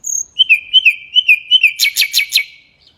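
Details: High thin whistle from a mangrove whistler followed by a wavering, rolling series of slurred notes that turns into four or five loud, sharp chirps before trailing off; no other sounds.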